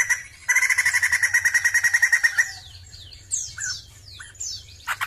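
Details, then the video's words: Song of a Sumatran laughingthrush: a loud burst of rapidly repeated harsh chattering notes lasting about two seconds. A series of high, thin, downward-sweeping whistles and a few short squeaky calls follow. "PERFORMA BAGUS DALAM BERKICAU BURUNG POKSAY JAMBUL SUMATERA"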